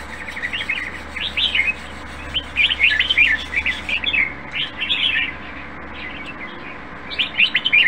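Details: Red-whiskered bulbul in a cage, a strong healthy singer, gives repeated bursts of cheerful bubbling warbles roughly every second or two, pausing near the end before a final flurry, with a low hum behind.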